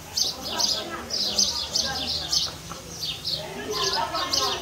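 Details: House sparrows building a nest in a house and fighting over it: a dense run of sharp, bright chirps in quick bursts, several birds overlapping with barely a pause, over a faint low background rumble.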